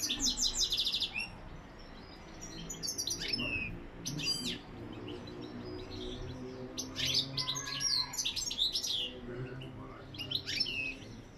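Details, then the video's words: Goldfinch singing in the lak lak song style. It gives rapid bursts of bright, high twittering and chirping notes with short pauses between phrases, over a steady low background hum. "Saka ötümü lak lak"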